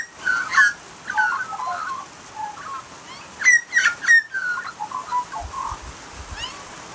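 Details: Australian magpie song, a busy run of rich fluted warbles and chortles. Bright, sharp, squeaky notes cluster near the middle, then softer gurgles follow. A faint low thumping is heard near the end.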